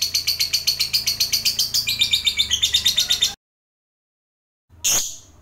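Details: Fighter lovebird chattering in the 'ngekek' style used to make other lovebirds answer; over three seconds of fast, shrill pulsed trilling, then a sudden cut to silence and one brief sharp squawk.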